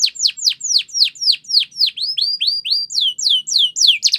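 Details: Belgian canary singing for training, to tempt other birds to sing: a run of loud downward-sweeping notes, about four per second, then faster rising-and-falling phrases at the end.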